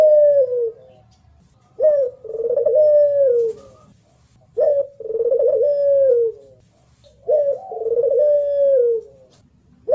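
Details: A local Barbary dove (puter), a contest bird recorded for training other birds, coos in low rolling phrases: a short clipped note, then a long wavering coo falling slightly, repeated about every two and a half seconds.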